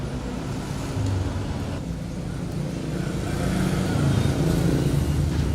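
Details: Low engine and traffic rumble that swells slightly toward the end, with no animal voice heard.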